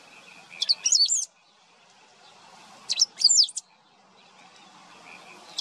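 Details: A great pampa-finch (Embernagra platensis) singing in wetlands of the Maldonado river estuary, Uruguay, in September 2022 gives two short, high, squeaky phrases of rapid twisting notes, about two seconds apart, over a quiet background hiss.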